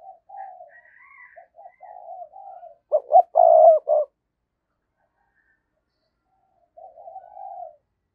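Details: Spotted dove used as a lure, 2022: a string of gentle short coos, a sudden loud pulsing burst of about four throbs, silence, then one more drawn-out soft coo; a faint higher whistle early on.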